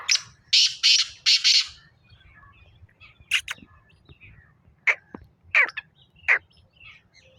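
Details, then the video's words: Black francolin giving four loud, rasping, evenly spaced buzzy notes, followed by scattered sharp, thin calls at intervals against low background noise. "کالا تیتر کی آواز ٹانگ کی بولیاں"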